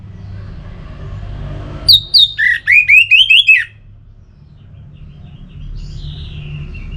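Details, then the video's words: Orange-headed thrush song, played to stimulate a caged bird into singing: a rapid burst of about eight loud whistled and slurred notes between two and four seconds, some rising and falling, then a faint thin whistle over low hum. "Suara Ini Bisa Membangkitkan Burung ANIS MERAH agar Jadi Gacor"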